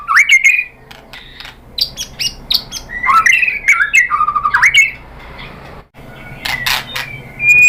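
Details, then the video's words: White-rumped shama song used to provoke other shamas into singing: loud varied phrases of slurred whistles, sharp upward notes and harsh clicks, broken by short pauses, with a low background hum. "bikin MURAI BATU NYAUT BONGKAR MATERI TEMBAKAN ¦ PANCINGAN MURAI ¦ SHAMA BIRD"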